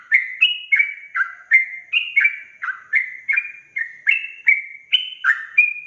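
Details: Sooty-headed bulbul delivering fast ropel song meant to stir up other bulbuls: bubbling, chirpy whistles in two-note pairs, rising then falling, repeated steadily and closely spaced.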